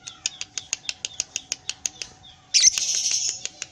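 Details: Caged lovebird in long ngekek chattering with tail play, a quick run of evenly spaced high ticking chirps that breaks into a dense, harsh buzzing burst near the end.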